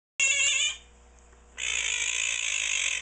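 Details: A 16-year-old pet Quaker parrot giving its annoying call: a loud, harsh, buzzy screech lasting about half a second, a pause, then a longer, steady, grating screech held for over a second.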